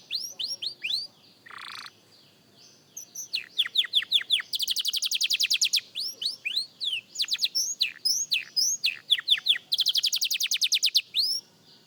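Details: Young canary rehearsing its song opens with slurred whistles and a short rough burst. Long, rapid trills and quick downward sweeps then alternate at high pitch.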